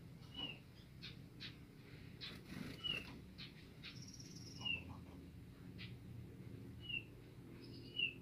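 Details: A captive-bred Sunda Robin, just after mating, gives short, sharp, high call notes at irregular intervals of one to two seconds, over a low background hum with scattered clicks and knocks.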